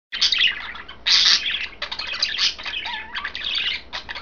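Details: Three pet budgerigars, one green, one blue and one white, chirp while eating kale in a cage: bursts of bright, scratchy warbling chatter with a short rising whistle near the end.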